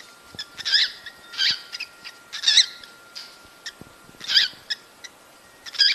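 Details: Cockatiels giving calls meant to stimulate breeding: harsh, harmonic chirps repeated about every second, with short sharp clicks and ticks between the bursts against a quiet background.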